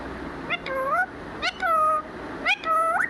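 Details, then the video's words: Pet parrot talking, its phrase given as "mithu mithu": three voiced, speech-like harmonic phrases about one second apart, each with a sharp onset and a level or gently rising tone. "talking parrot 🦜 mithu mithu"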